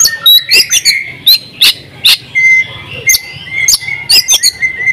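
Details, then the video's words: Oriental magpie-robin song used for training other birds: scattered sharp chirps and whistles with brief clicks, then a sustained thin whistle repeated several times. "masteran kacer juara buka paruh full isian ngobra"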